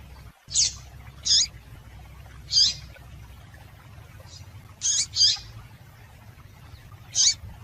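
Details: A female double-collared seedeater (Sporophila caerulescens) gives short, high, thin chips, singly or in quick pairs, spaced irregularly over a faint low hum; a female call used to stimulate males to sing.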